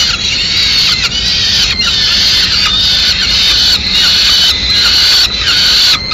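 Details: Peregrine falcon nest in Madrid, mid-morning meal as the female brings back leftover pigeon; a series of harsh, harmonic wails, each roughly half a second to a second long, given in steady succession.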